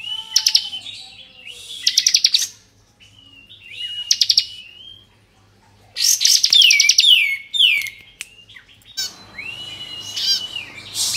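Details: Excited 'ngebren' singing from a Bar-winged prinia of the 'kristal' type, played to stir up untrained birds: sharp staccato trills and falling slurs in separate bouts, a quiet pause midway, then a burst ending with faint background rustle.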